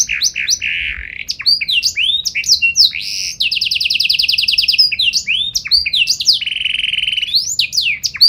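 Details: Canary in full song, singing a varied, special phrase pattern: quick rising and falling whistled notes, then a long rapid buzzy trill, more swooping notes and a second lower rattling trill; no other sounds.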